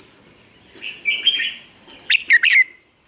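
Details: Caged Red-whiskered bulbul lure bird in Vietnam, singing to draw out song from other bulbuls: a sustained warbling trill, then three fast emphatic sharp notes in quick succession.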